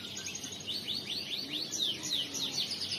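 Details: A male crested canary delivers riwikan song as a quick run of bright downward-slurred whistles, evenly spaced and climbing in loudness toward the middle, over light background hiss.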